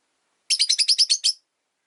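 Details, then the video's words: Caged Rosy-faced lovebird, one of three newly put together in a single cage, gives a fast run of eight harsh, buzzy chirps in under a second. "Lovebird Chirping Sounds"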